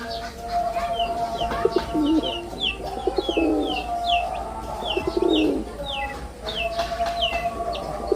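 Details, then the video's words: A male red-bordered wild pigeon in performance utters several deep, rolling coos in the middle, surrounded by busy repeated chirps of small birds and a continuous low hum. "লাল বডার বুনো কবুতরের অসাধারণ ডাক || Pigeon Sound Effect || Male Pigeon Super Performance"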